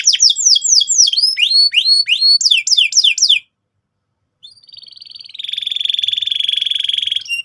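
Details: Canary song used to provoke another bird into singing: rapid series of downward-sweeping whistled notes, then a brief pause and a long sustained buzzy trill.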